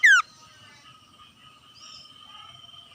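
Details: Common iora, a male in lively 'gacor ngetir' singing style, calling back and forth with wild birds: a loud, brief downslurred whistle opens, then a long, faint, steady drawn whistle holds unbroken to the end over a quiet background.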